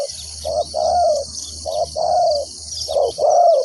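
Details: Spotted dove kept as a trapping decoy, calling to attract wild birds. A short coo is followed by a longer, slightly falling croo, repeated three times. A faint low hum and high insect buzz sit underneath.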